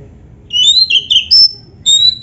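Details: Black-breasted oriental magpie-robin song used to train caged birds: several pure sustained whistles at differing pitches, some gliding slightly, separated by brief gaps, in a quiet setting.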